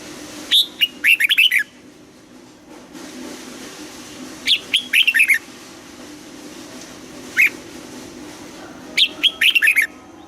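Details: Red-whiskered bulbul in Vietnam singing its mature double-note morning song during training: three bursts of rapid, lilting whistled notes, each phrase about a second long, separated by pauses and one lone note.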